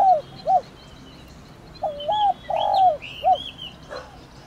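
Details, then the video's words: 'Thổ đồng' calling of a spotted dove meant to rouse a decoy bird: soft low coos, a short note then a drawn-out purring coo and a clipped end note, with faint higher chirps of small birds above. "Cu gáy THỔ ĐỒNG GÁY GỌI kích bổi nhanh nổi"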